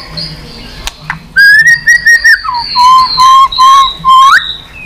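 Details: White-rumped shama giving continuous 'tạch' song, used to rouse other shamas: a few sharp clicks, then long clear level whistles stepping down in pitch, ending with a quick upward-sweeping note.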